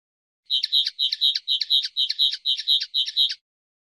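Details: Common linnet song: a fast series of paired chirpy notes repeated about twice per second, steady and twittering, high pitched, with no other sounds.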